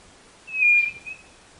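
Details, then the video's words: A single drawn-out, slightly falling high whistle from a White-bellied Nothura of northeastern Brazil, with a faint short note after it. "CANTO DA CODORNA DO NORDESTE"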